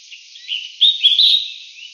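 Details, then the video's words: Collared finchbill (Spizixos semitorques cinereicapillus) gives a single brief phrase of bright slurred chirps, starting soft and rising into three loud clipped notes, then fading. "白環鸚嘴鵯/Collared Finchbill"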